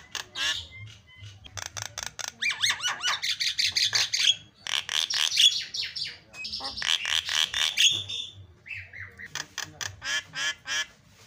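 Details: Javan myna singing in the 'isian' style, a song packed with filler phrases, played as a lure to get other birds singing: dense runs of harsh chattering bursts and rasping notes, with a few short whistles, continuous throughout.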